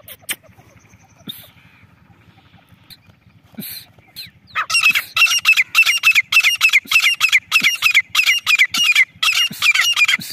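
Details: Female grey francolin, desi teetar. A few scattered notes at first, then from about five seconds a loud, harsh call repeated steadily, roughly three per second, until the end.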